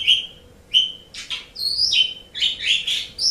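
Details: Pet-training song of the Asian pied starling: two clear level whistles separated by pauses, followed by harsh buzzy notes and a quick series of bright, varied whistled phrases.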